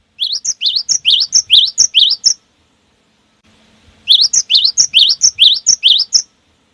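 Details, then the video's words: Lure song of the cinereous tit, gelatik batu: two rapid sequences of about eight rising 'wucit' whistles each, with a brief quiet break between. "memancing bunyi segala jenis burung gelatik batu"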